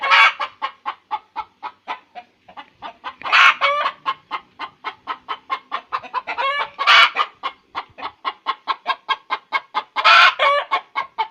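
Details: Chicken cackling after laying an egg: rapid, regular clucks about three per second, broken by louder, drawn-out squawks near 3.5, 7 and 10 seconds; no other sounds.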